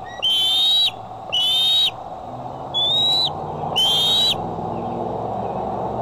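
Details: Bald eagle at the Decorah nest, filmed by camera on the afternoon or evening of July 6, 2011, giving four high whistles that rise slightly, spaced about one to two seconds apart, then quiet with low rumbling background noise.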